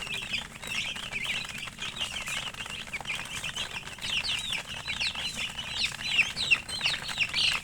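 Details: Chicken chicks peeping rapidly, about three chirps a second standing out from the chorus, thin and high, growing louder toward the end.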